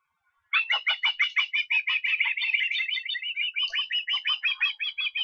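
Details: Estonian osprey, 23 August, calling in a long, fast train of sharp, high chirps, around three per second, slightly rising and falling without a break.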